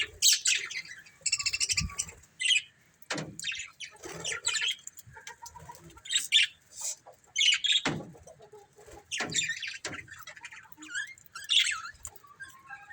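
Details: Budgerigar breeding pair giving bright chattering chirps and short squeaky warbles in irregular bursts. Sharp clicks and taps are scattered through the sound.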